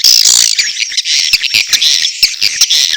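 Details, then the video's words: High edible-nest swiftlet chatter of mating and chick calls, opening with a loud shrill squeal, then fast clicking chirps in quick uneven bursts. "SUARA WALET"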